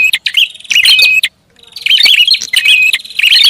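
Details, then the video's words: Prinia giving a busy lure call. A short chatter is followed by a clear gap, then a longer run of rapid twittering notes with thin whistles. "SUARA PIKAT BURUNG PRINJAK ATAS RIBUT"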